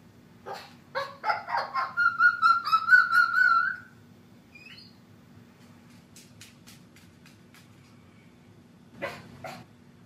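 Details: A female pet sulphur-crested cockatoo, craving attention, barks at her dog housemate, who ignores her. She gives a quick run of harsh, dog-like barks, then a drawn-out whining note, and one last bark after a pause.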